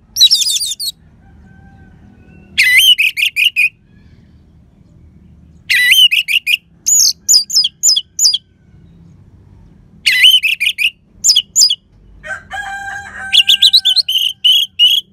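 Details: Orange-headed thrush in full song, used to coax silent birds into singing; repeated phrases of rapid ringing whistles, some high and twisting, others lower and steady, with a brief lower buzzy note near the end.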